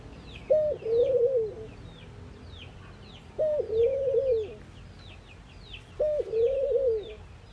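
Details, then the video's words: Three rhythmic coos from an Indian ring-necked dove in the morning, each a sharp opening note followed by a wavering, fading tone, roughly 2.7 seconds apart, with high chirps of other birds throughout. "Ringneckdoves calling sound !! Indian Birds Dove morning activity Doves cooing"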